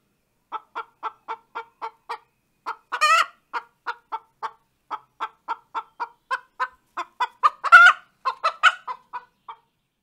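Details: Laying song of a hen after producing an egg. Spaced clucks come in quick runs, broken by two loud squawks near the third and eighth seconds. Between them the clucking sometimes speeds up. The background is quiet.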